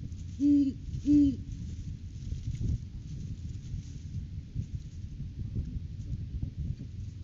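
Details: Great Horned Owl at a nest tree during courting season, January 9, 2023, on a live camera; two loud, deep hoots close together at the start, followed by quiet rumbling and a faint thump.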